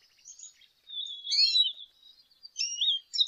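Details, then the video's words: Song of a lesser goldfinch: thin high whistles and buzzy slurred notes, a louder twisting phrase in the middle and another burst of varied chirps at the end, against a quiet background. "Jilguero Aliblanco Canto! Llamado! Sonido! - Lesser Goldfinch Song -Spinus Psaltria"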